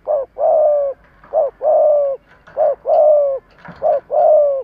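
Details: Spotted dove kept as a decoy, calling to provoke wild doves. A low cooing phrase: a short clipped coo, then a long slightly falling coo, repeated three times in quick succession with brief pauses between.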